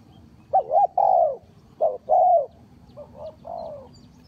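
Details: Spotted dove lure call for bird trapping: loud, clear coos in three phrases, each a quick pair of notes leading into a longer sliding croo, the last phrase softer.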